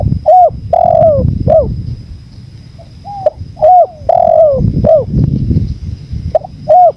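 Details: Spotted dove cooing against strong natural wind, blended for training birds and calling: short curved coos and longer drawn notes in irregular groups about every few seconds, steady roaring wind beneath.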